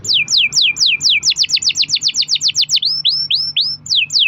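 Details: Long-rolling canary song played as a lure to get canaries singing, a rapid run of steep descending sweeps about four per second followed by slower rising whistles.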